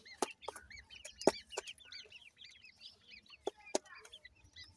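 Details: Grey francolin chicks, Punjab, Pakistan: many arched, high peeps overlap in a busy chorus, with occasional sharp percussive clicks.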